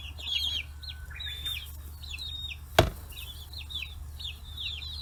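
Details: Forty-day-old free-range chicks in Kitahiroshima, Japan, clustered around fish heads: clusters of high, wavering peeps in bursts, one sharp thud near the middle, over a steady low hum.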